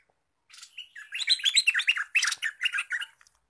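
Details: Wild-caught olive-winged bulbul in active song, ready to act as a lure: a single fast phrase of lively, jumbled chirps and warbles that swells after a quiet start and stops abruptly.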